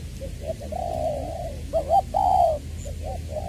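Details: Vietnamese decoy spotted dove from Trà Vinh, 'giọng tiểu' voice, February 2021. A long soft coo, then two quick hiccup-like notes and a strong drawn-out coo, ending with brief quieter notes over a low hum.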